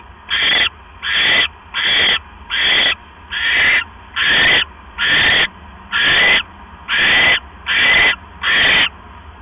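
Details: At a nest at night on 12 October 2015, around 9:40 PM, with a mouse being delivered, an owl gives ten rasping, hiss-like screeches, each about half a second long, spaced a little under a second apart in a steady rhythm.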